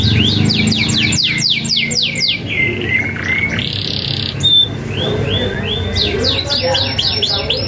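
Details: Canary in lively rolling 'isian' song, a model for young canaries: rapid descending high notes in a fast series, then a flat buzzy whistle and a bright sustained note, before arching rolls resume over faint low hum.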